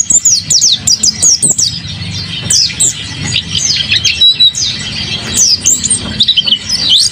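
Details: Energetic song from a kept mountain white-eye: fast high chirps and slurred whistles in pulsing runs, briefly softer in the middle, then building again.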